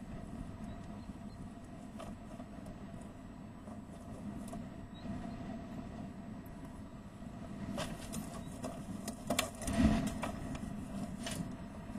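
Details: Low rumbling background noise with a few clicks and knocks, rising briefly near the end; no animal voice stands out.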